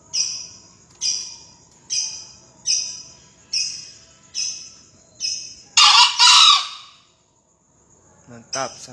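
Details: {'caption': 'Green junglefowl crowing in a 2020 crowing contest: a loud, harsh double burst near six seconds, preceded by a series of short high notes repeated under a second apart.'}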